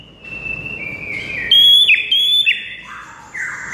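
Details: White-rumped shama singing loud, pure whistled notes: a long steady tone, then two bright ringing phrases with quick downward flicks, ending in softer lower whistles.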